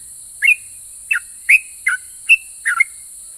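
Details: Six well-spaced whistled notes from a sooty-headed bulbul, a bird said to get other bulbuls answering; each note is short and slightly slurred, some paired with a lower tail, set against a faint constant hiss.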